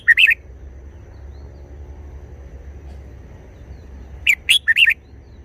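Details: Short forest-style song phrases from a red-whiskered bulbul: a clipped warbled note at the start, then a long pause with low hum, followed by a quick run of four bright, slurred whistles.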